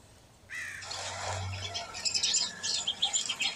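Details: Black-capped chickadee (Poecile atricapillus), call.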